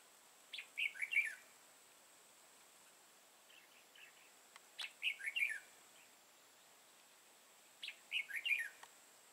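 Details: During a trapping session on 31 March 2018, a dark-bibbed red-whiskered bulbul gives brisk warbled phrases of quick up-and-down notes roughly every three to four seconds, with a fainter phrase and a few sharp clicks between them.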